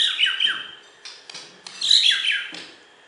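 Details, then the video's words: Champion Borneo white-rumped shama from West Kalimantan, a contest bird, singing two bursts of loud, sweet, descending whistled notes separated by a pause with soft clicks. "Video Burung Murai Batu Borneo Juara Di KalBar"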